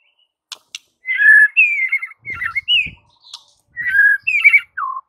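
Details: White-rumped shama song used as a training recording to stir silent birds: loud whistled phrases, some slurred and warbling, in bursts with short pauses, ending on a falling whistle, with faint low knocks in the background.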